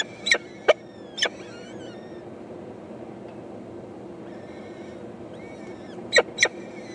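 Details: Peregrine falcon chicks, four eyases, calling to their mother that they are hungry, 14 May 2012; short sharp chips come in pairs near the start and end, with faint high thin wavering whistles in the quiet stretch between.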